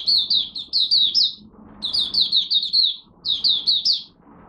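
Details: Malaysian oriental white-eye (mata puteh) giving its first warm-up song of the day, 1 August 2023: bright, high, downslurred chirps run together in quick bursts of about a second, with pauses between. Faint low room hum underneath.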